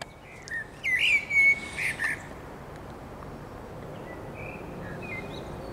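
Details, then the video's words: Common blackbird singing on 29 June 2021: a short burst of rich fluted whistles and twittering notes in the first two seconds, then quieter scattered whistles from farther off over a steady background hiss. "Śpiew kosa."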